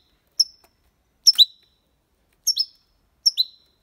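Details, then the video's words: European goldfinch, Málaga copy song played to stimulate young birds: four quick bursts of high, ringing, downward-sliding twitter notes, often paired, spaced about a second apart. "Cantó de Jilguero (copia malaga ) para Estimular niños pajaros/Chant de Chardonneret élégant"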